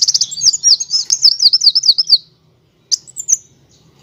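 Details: High sunbird rolling trill for bird training: a steady rapid stream of sharp repeated notes lasting about two seconds, a pause, then a brief chirped phrase.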